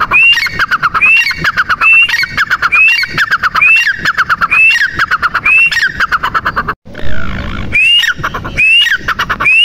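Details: Francolin (teetar) with male and female calls: a loud, harsh, rhythmic phrase repeated about every 0.8 seconds, each opening with a high rising whistle and running into rapid chattering clicks, briefly broken by a short gap.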